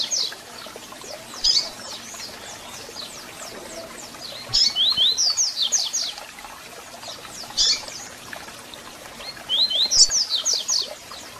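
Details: Double-collared seedeater singing and calling, played to excite captive birds: repeated rapid phrases of thin, high, slurred whistles, roughly three bursts alternating with isolated sharp chips, against a light steady hiss.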